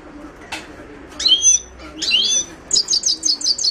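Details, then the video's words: Carduelis caniceps, the Himalayan goldfinch, gives two slurred warbling notes followed by a quick series of six repeated sharp tinkling chirps. "تغريد حسون الهيمالايا chant de chardonneret hymalaya"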